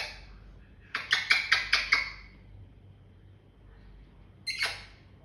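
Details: Pet African grey parrot indoors in the morning, described as in a lovely mood, giving a burst of five harsh, rapid squawks, then quiet, then a single squawk in a small room.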